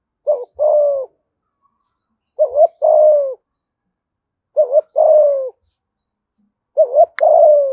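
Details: Steady series of four low coo phrases from a spotted dove in Dong Nai, Vietnam, thúc gù style in a giọng thổ voice: double-humped short note, then a long falling coo, roughly every two seconds, with one faint click.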